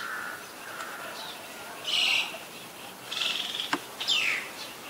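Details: Common myna in Ubon Ratchathani, Thailand, February 24, 2022, giving a series of harsh, chattering high notes in three bursts, with a sharp click between them and a low hiss throughout.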